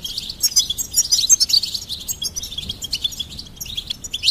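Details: Energetic goldfinch singing, a rich, fast jumble of very high tinkling and buzzy notes delivered almost without pause, loudest in the first half.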